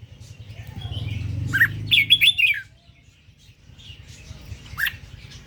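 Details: {'text': 'Red-whiskered bulbul of the Indo strain delivers one lively phrase of looping whistled notes. A later single chirp follows, over a low background hum.'}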